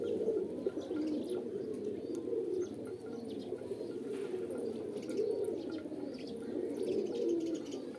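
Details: Pigeons cooing together in a steady low murmur, overlapping throaty coos rising and falling without a break, with faint higher chirps scattered above.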